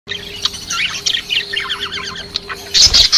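Lovebirds chatter with rapid, shrill chirps and squeaky trills, ending in a burst of harsh, high screeches; a low steady hum runs underneath.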